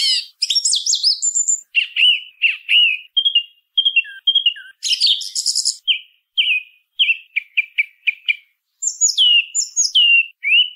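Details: Song thrush song of varied phrases: high twittering notes, short whistles repeated in twos and threes, a burst of harsh chatter, then more repeated whistled notes and descending slurs.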